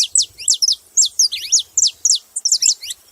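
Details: Saffron finch giving loud, clear, high chirps, each sweeping sharply downward, repeated in a steady, quick series.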